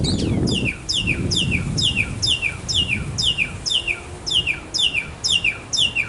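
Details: Male mockingbird singing in a backyard to attract a female: a steady series of repeated chirped phrases, about two per second, each a downward-sweeping note, with low rumbling background noise early on.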